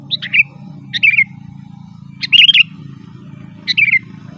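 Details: Loud, lively sooty-headed bulbul song for attracting wild birds. Four bright phrases, each a sharp high note followed by a descending bubbly warble, the third longer and rolling, arrive every second or so over a faint low drone.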